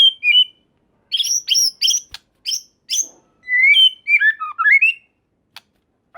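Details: White-rumped shama song used to trigger responses from other shamas: varied high whistled phrases with clear gaps, including sweeping and descending notes and brief sharp clicks.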